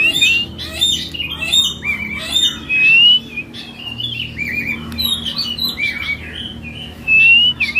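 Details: A captive, in-form, large-bodied male robin sings loudly and without pause: bright, varied, mostly high whistled phrases and rapid chattering notes, with brief sweeping slurs between them.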